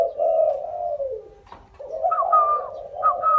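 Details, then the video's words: Native spotted dove (cu ta), a kept bird from Nam Dinh, Vietnam, recorded 26 April 2022 at handover to a buyer; soft, low, drawn-out coos fall away, pause, then resume beneath brief higher whistled notes. "e cu ta khiển khách"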